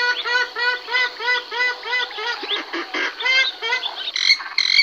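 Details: Purple swamphen pairs in a noisy chorus of calls and songs: fast repeated honking, nasal notes, several per second, overlapping with other harsh cries and a higher squeal near the end.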